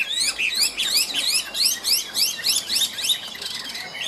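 Chinese hwamei singing a fast, loud run of high rising whistled phrases, about three or four each second, clear and ringing.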